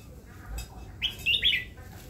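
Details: Red-whiskered bulbul kept in a cage as a new pet for its voice sings one lively phrase of three rapid, bouncing whistled notes lasting about half a second, with faint room noise behind.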